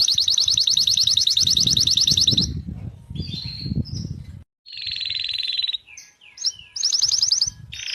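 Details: Canary singing, recorded 11 January 2024: high, rapid buzzy trills repeated in long rolls, a brief silence, then a sustained trill and short chirping notes before another fast roll, over a low rumbling background noise.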